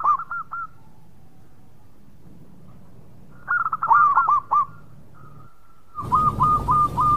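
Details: Local Zebra dove in full song. Short bursts of quick hooked cooing notes sit near one pitch, with quiet gaps between phrases. A steady faint tone and a rush of broadband noise join the last phrase.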